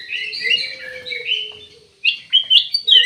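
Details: Ruby-throated bulbul: a flowing warbled phrase, then a brief pause and several sharp, rising chirps, with a soft steady low hum underneath.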